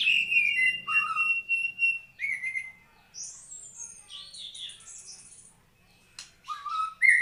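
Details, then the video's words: White-rumped shama singing, clear whistled phrases, a long steady note, then falling slurs and very high thin whistles, with a short silent gap before a final downward whistle. "Kicau Murai Batu"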